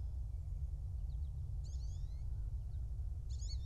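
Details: Nest-cam recording of a bald eagle pair's nest in Kisatchie National Forest, central Louisiana, morning of 2 January 2024. Brief high squeaky chitters at about 1.6 and 3.3 seconds, with a heavy low rumble of wind throughout.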